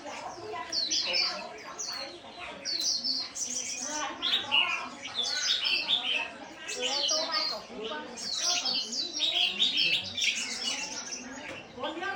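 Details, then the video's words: Chestnut-flanked white-eye delivering a continuous líu song: dense, rapid, high-pitched twittering and chirping notes tumbling over one another for many seconds, barely pausing, with some faint lower sounds underneath. "Khuyên đùi nâu líu"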